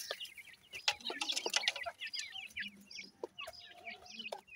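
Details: Grey francolin chicks chirp busily, a dense stream of thin high peeps, loudest early on, then sparser slurred notes over low background noise.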